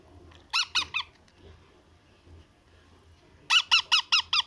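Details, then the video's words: Baby parrot begging at feeding time: three rasping squeaks, a short pause, then a faster series of six loud, harsh begging calls. "Baby Parrot Feeding Time Voice"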